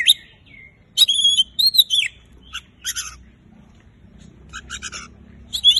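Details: Energetic Oriental magpie-robin song meant to get silent birds singing: a short whistled note, then a cluster of ringing, slurred whistles and rasping chatter, followed by softer scattered notes over faint low hum.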